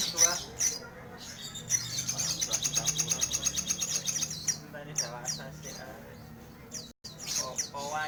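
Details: Crimson sunbird in full, energetic song: a fast, even train of sharp high ticking notes lasting several seconds, then scattered sweeping chirps, with a faint low hum behind.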